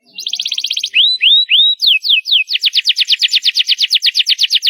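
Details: Canary singing loudly: a fast buzzy trill, then three upward-sweeping whistled notes, a few descending slurs, and a long run of rapid repeated notes, clear and close with no other sounds.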